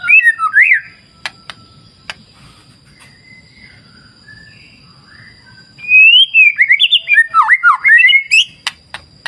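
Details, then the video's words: White-rumped shama singing by a clear river in the wild. A few whistles open the passage, then a long near-silence with faint low rushing. A loud burst of twisting, rapidly looping whistled notes bursts out in the final third. "Terapi Murai Batu Ala Alam Liar Sungai Jernih"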